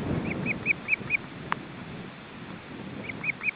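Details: Osprey at a nest with three young chicks, parents bringing fish, on a windy day: a run of five clear whistled, arched chirps, a sharp click, then another quick burst of three or four chirps, over low wind rumble.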